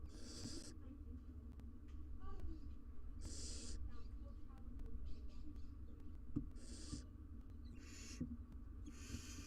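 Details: Nest box holding a wild barn owl family, two adults and three nestlings, recorded by live cam; scattered harsh hiss bursts separated by quieter gaps with faint scratching and low hum.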